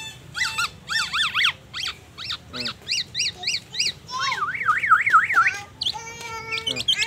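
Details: Singing black-naped oriole imitating magpie robin phrases and an ambulance siren: rapid series of sharp zigzag chirps, then a wavering up-and-down siren-like whistle, over a steady low background hum.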